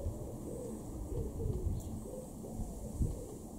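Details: A wood pigeon in a garden in Weener, East Frisia, northwest Germany, in March 2023, gives soft, low, hooting coos in a rhythmic phrase over a steady low rumble of background noise.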